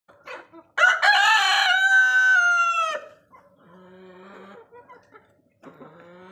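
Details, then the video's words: A white rooster gives one loud, harsh crow of about two seconds that rises then falls away, followed by a few softer clucks and low murmuring. "white rooster crowing"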